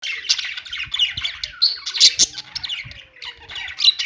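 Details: Budgerigars chirping and singing: dense, overlapping warbled chatter with scratchy squawks and quick tweets, several birds calling at once with no pause.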